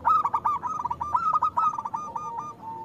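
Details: Local zebra dove (perkutut) singing loudly, a lure meant to prompt reluctant doves to sing: a continuous run of stuttering, throaty coo notes near one pitch, broken into quick pulses for about three seconds, ending in a softer drawn-out coo.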